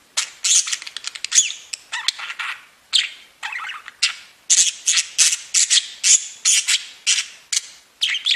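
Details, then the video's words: Several pet budgerigars singing and chirping: loud, continuous chattering warble of harsh buzzy notes and high squeaks packed closely together, barely pausing. "Веселое пение волнистых попугайчиков / Funny singing of wavy parrots"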